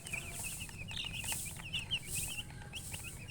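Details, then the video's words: Baby chicks chirping: a steady run of thin, high, short peeps tumbling over one another, softer and somewhat hissy with background noise. "Baby "Chicks Chirping" Sound"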